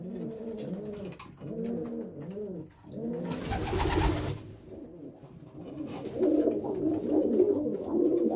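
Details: Old German Owl pigeon coos: a series of deep, rounded, bubbling notes rising and falling in quick repeated arcs, interrupted by a loud burst of wing flapping, then more overlapping cooing from several birds.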